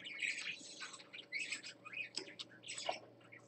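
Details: Parakeet on swings, live-streamed 20 December 2014, giving a dense run of high chirping chatter with rising squeaky notes and buzzy bursts throughout.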